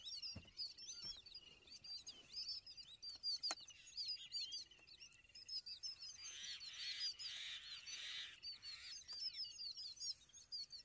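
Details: A group of yellow-billed babblers mobbing an Indian eagle-owl in a constant, overlapping stream of harsh, squeaky scolding chatter, with a rougher hissing burst partway through.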